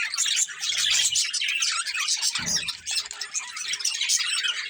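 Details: A breeding pair of colourful budgerigars keeps up fast, scratchy twittering with scattered squeaky notes; a short lower rasping sound breaks in near the middle.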